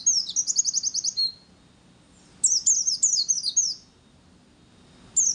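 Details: Lure song of a white-eye in the zipper, wir wit and ngecir style, a fast trilled run of very high notes, then a chain of falling chirps after a pause.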